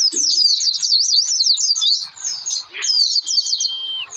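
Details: Oriental white-eye giving a lure song to encourage birds to sing: a rapid zigzag warble of high notes, then a brief pause and a long, thin, level whistle near the end.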